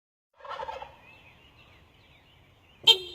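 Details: Turkey in trees giving a short rapid gobble, a burst of dense rattling notes, followed by faint thin whistles of other birds and a sharp click near the end.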